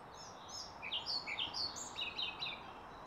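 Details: Pied flycatcher song recorded near Pilisszentlászló, a short burst of sharp, high whistled notes alternating between higher and lower pitches, closing with a quicker cluster of chirps against faint steady background noise.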